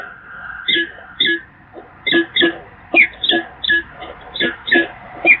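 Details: Peregrine falcons filmed at the Evoluon, Eindhoven, on April 8, 2022: a falcon gives harsh, nasal calls in short bursts, about a dozen over five seconds, with a faint background hum.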